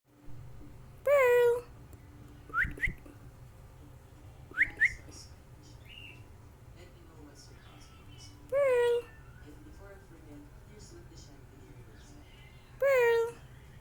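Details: A pet cockatiel gives loud, harsh, falling calls every few seconds, with short rising chirps between them.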